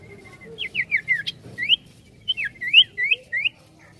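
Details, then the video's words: Ashy tailorbird (sirtu) singing eagerly in ngetril ngetrol style: a soft thin whistle, then two bursts of clear slurred whistles, each note dipping or rising, about five notes per burst with a short pause between. "SIRTU GACOR NGETRIL NGETROL"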